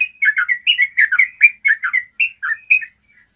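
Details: Yellow-vented bulbul in clear long-trill ropel song for tutoring caged bulbuls: brisk, liquid, bouncing notes in tight groups for almost three seconds, then a faint trailing note and silence.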